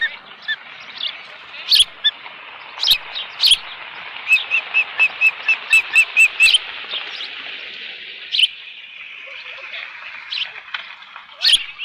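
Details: Osprey at its nest on 13 June 2018 late morning with left over fish; a rapid run of about ten short, even, high chirps in the middle, with scattered sharper chirps and clicks before and after.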